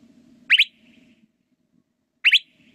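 A Northern Mockingbird repeats a bright, doubled chirp phrase twice, about two seconds apart, over a low steady hum.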